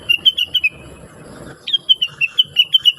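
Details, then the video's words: Blue-winged leafbird in sweet, constant song used for tutoring birds: a short run of piping notes, a pause, then a steady series of about eight clear, high chirps in even rhythm. "Rengganis / Cucak Wilis Gacor Cerewet Suara Merdu"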